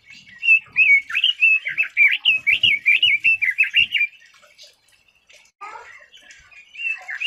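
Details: Rapid, bubbling phrase from a red-billed leiothrix (Leiothrix lutea): about fifteen sharp, slurred whistled notes run together over three seconds, followed by a pause and softer, scattered notes.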